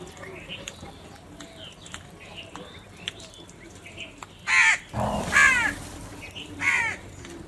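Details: Crows squabbling over food give loud harsh caws in a burst near the end, after quieter scattered calls and faint clicks.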